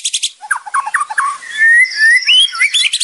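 A white-rumped shama sings a rich, varied phrase of quick rising notes and rattling chips, then long, clear whistles sliding upward, with dry crackling notes at the edges.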